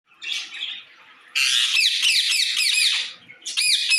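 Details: Parrot calling to another parrot: a softer harsh squawk, then a long, loud, grating burst of high screeching calls with a bouncing pattern, and a final short shrill squawk.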